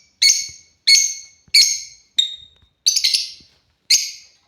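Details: African lovebirds at play: six sharp, shrill chirps in an even series, one roughly every two-thirds of a second, each a bright harsh burst dying away quickly, with silence between.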